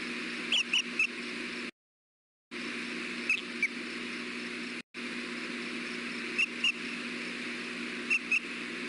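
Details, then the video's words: Osprey courting calls at a nest, recorded by nest camera on 3 May 2016 around 14:22 MT, during a mating attempt before one bird leaves: short high chirps in pairs and triplets, widely spaced, over a constant mechanical hum with brief dropouts. "Courting calls, mating attemt then leaves"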